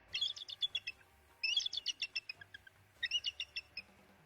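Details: Bald eagle (Haliaeetus leucocephalus), call.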